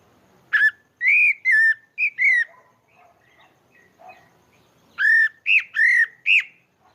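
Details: Pale-breasted thrush, called sabiá-barranco, singing naturally in Maranhão, Brazil: loud clear whistled notes slurring down and up, in a burst of several notes, a pause with faint soft notes, then another burst of four strong whistles.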